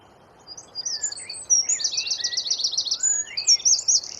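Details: Wren delivering rapid masteran song, a dense machine-gun trill of high strokes, mixed with lower rising whistles and slurred chirps, over a quiet background.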